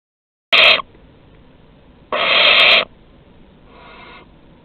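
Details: Barn owls at Théding on 23 August 2020, as an adult offers its prey to a younger owl. Two harsh, hissing screeches are heard, one short and one longer, then a fainter, softer hiss.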